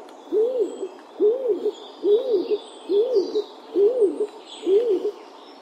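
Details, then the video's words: A stock dove (Columba oenas) gives six low, hollow, arching coos, each rising then falling, repeated a little under once a second, with faint high twittering from other birds behind. "Клинтух. Голубь. Голоса птиц"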